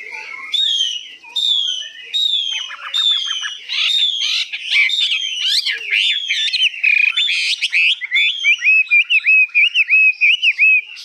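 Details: Newly arrived Hwamei, said to be 85% tame, gives high long-phrased song: repeated descending whistled notes about every second, a dense warbled stretch, then rapid strings of short wavering whistles.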